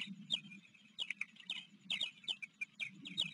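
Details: Osprey nest at Blackwater River, Maryland, on a July 28, 2022 afternoon, when a recently fledged chick from a neighbouring nest stayed for hours. Faint bursts of short, high chirping notes come in quick clusters over a steady low hum.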